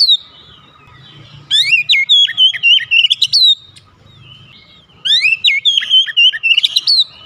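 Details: Oriental magpie-robin (kacer) song for coaxing a quiet bird to sing: two long bursts of loud, varied whistles with upward slides and quick chips, separated by a pause, with a low droning hum.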